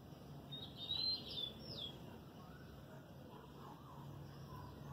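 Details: Kept lined seedeater, moulting its feathers and bill, recorded 12 November 2018: a short burst of high, clear whistled notes with quick slurred inflections lasting about a second, then fading; low background rumble throughout.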